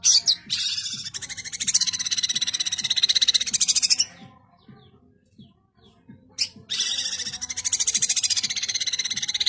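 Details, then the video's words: Long-tailed shrike singing vigorously in rapid-fire "tembakan rapat" style: dense, buzzy, fast-pulsed chattering in two long bursts separated by a quiet pause of about two seconds. "Cendet GACOR full tembakan rapat"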